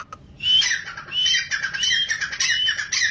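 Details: A big grey francolin (Francolinus pondicerianus) calls with loud, harsh, grating phrases, repeated roughly every half second in a steady, insistent run.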